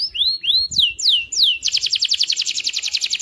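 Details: Canary singing day and night to encourage other canaries: four slow, loud downward-curving whistles, then a sudden fast, dense trill of repeated notes for the last second and a half.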